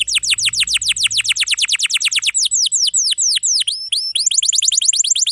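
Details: Canary with a rich long-roll song, used to teach young or non-singing canaries: steady run of downward-sweeping whistles about five per second, breaking into varied forked phrases and quicker notes, with a faint low hum.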